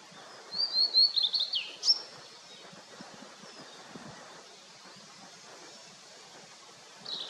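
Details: Blue-and-white flycatcher in fog-covered mountains after rain: a short burst of high, rapid whistled song ending in a sharp upward note. Several seconds of quiet rustling follow, then a faint chirp.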